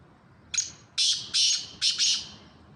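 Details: Black francolin calling, a bird from Sindh: a short grating phrase, one brief note followed by four harsh, buzzy, high notes in quick succession, over a low hum.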